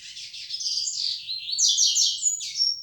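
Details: Continuous high, rapid warbling from a yellow-bellied seedeater in the flecha negra song style, jumbled trills climbing and falling before a sharp whistled final note.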